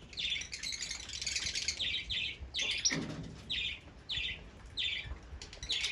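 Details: Bright, piercing chirps from Fischer's lovebirds, dense at first and then spaced into single repeated notes.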